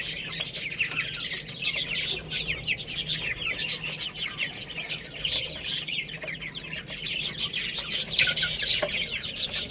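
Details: Baby chickens eating rice: a dense chorus of high, thin chirps, many overlapping and falling in pitch, repeated several times per second with no pause.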